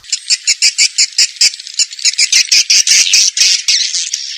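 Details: Swiftlets calling on a lure track meant to attract them: rapid harsh squeaky chirps, evenly pulsed at first, then merging into a continuous scratchy chatter.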